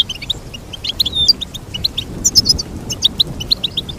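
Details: Lively goldfinch twittering: brisk high chirps in rapid succession, with a few whistled notes and overlapping voices.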